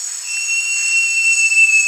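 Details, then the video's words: Great jacamar (Jacamerops aureus) holding one long, clear, level whistle through the whole stretch, over a steady high insect hiss. "O Canto do JACAMARAÇU (Jacamerops Aureus) Bird Song - Great Jacamar"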